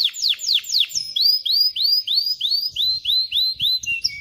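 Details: Canary song aimed at teaching chicks to sing and readying females for breeding: several falling sweeps, then a steady series of clear rising arched whistles, about three per second, ending in a short high note.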